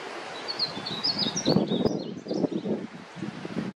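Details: Juvenile painted bunting singing a brief phrase of high, rapid, twittering notes that rise and fall, over rustling and low bumping noises.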